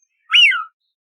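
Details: Eurasian wigeon giving a single clear whistle, about half a second long, that rises sharply and then falls away, with a silent background.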